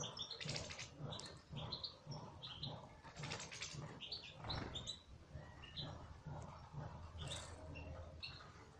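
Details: European goldfinch in captivity twittering with dense, high, tinkling chirps, mixed with bursts of wing flapping and rustling in the cage, over a low background hum.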